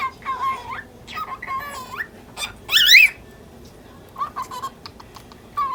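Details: Pet lutino cockatiel, ten months old, talking angrily at a pursuing budgie: nasal mimicked-speech syllables, one loud grating rising squawk in the middle, then softer chatter.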